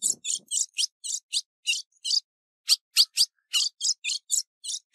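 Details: Calling female ultramarine grosbeak, recorded 15 June 2019 for training: quick runs of short, high, rasping chirps, nearly continuous with one short pause midway, each note dropping slightly; a faint low rustle at the start.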